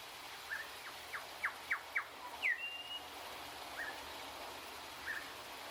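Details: Grey shrike-thrush from Australia: a quick series of sharp down-slurred whistled notes, then a rising note leading into a held clear whistle, followed by two softer short notes, with a low distant traffic hum beneath.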